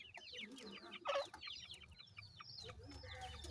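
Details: Young grey francolins at play giving a dense string of high, falling peeps, several birds overlapping, over a low rumbling background.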